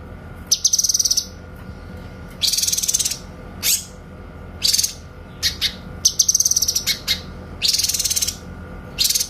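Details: Clear 'tembakan' (shot) song of a grey-cheeked bulbul, recorded as a master for tutoring white-rumped shamas: dense high rattling bursts about half a second long, alternating with single sharp downward notes, separated by short pauses over a quiet hum.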